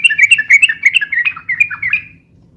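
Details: Yellow-vented bulbul delivering a rapid chattering phrase of jumbled, bouncing notes that fade out toward the end, from a busy, long song used for luring and tutoring birds.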